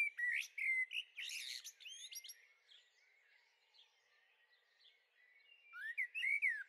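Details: Young common blackbirds in a garden, Veluwe, Netherlands, dated 30 April 2014; strong chirping and scratchy notes open, soft faint twittering follows, and sharp rising calls return at the end.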